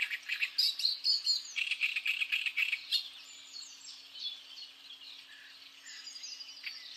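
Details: A great reed warbler's song: harsh, grating notes repeated about four times a second, then a softer, varied chatter, over a thin high insect hiss.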